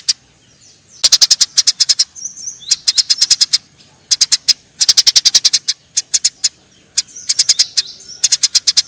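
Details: Eurasian tree sparrows fighting, calling in repeated bursts of fast, strident chirps, each burst about six to twelve notes, with brief quiet gaps and faint squeaky notes between them.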